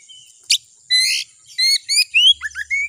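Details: Kacer, or Oriental magpie-robin, singing a lure phrase to rouse a kacer into song: a faint thin whistle, a sharp click-like note, a buzzy rich burst, then quick rising whistled notes in a lively jumble.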